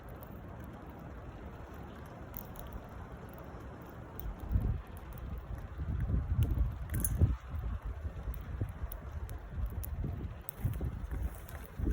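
Rustling, soft pattering and low handling rumble fill the recording, with scattered clicks and no animal calls.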